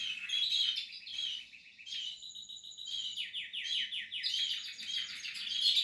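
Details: Nest-building Portuguese harlequin canary in song: twittering phrases give way to a steady high note, then a run of fast descending trilled syllables and bright warbling.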